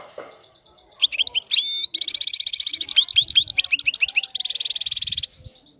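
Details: Loud, close wild European goldfinch with a mistake-free song: tinkling notes lead into long rapid buzzy trills and fast chattering twitters for about four and a half seconds.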